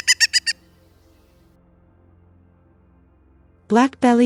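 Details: Pileated Woodpecker (Dryocopus pileatus) in Canada gives a quick burst of four loud, ringing notes in half a second, followed by a low hum and then a man's voice.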